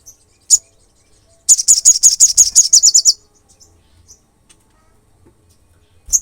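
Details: Olive-backed sunbird in active, provoking song: one lone high chip, then a long, fast trill of roughly fourteen sharp, thin notes that tightens toward its end, followed by quiet and a final chip.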